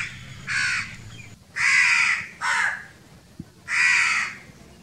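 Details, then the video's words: Young crows demanding food alongside adults: four harsh, nasal caws of uneven length at irregular intervals, with a low rumbling hum beneath and a single sharp click near the end. "Little and big crows crowing sounds | crow kids demanding for foods"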